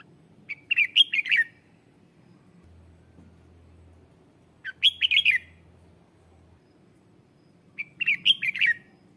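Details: Red-whiskered bulbul lure bird singing to call wild birds: short bright warbled phrases of quick slurred notes, each under a second, repeated about every four seconds, with low background hum.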